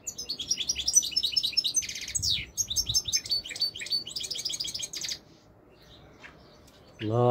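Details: Royal goldfinch from Morocco delivering a long, lively twittering song of rapid high notes mixed with buzzy trills, then silence and a short low thump at the close.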